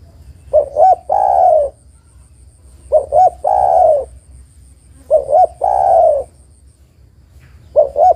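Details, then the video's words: Female spotted dove's call to attract a male, for luring birds. Repeated three-part coo phrases, two quick notes then a drawn-out, rolling, downward coo, about every two and a half seconds; a soft ticking tone and low rumble persist throughout. "tekukur betina memanggil jantan - UNTUK PIKAT"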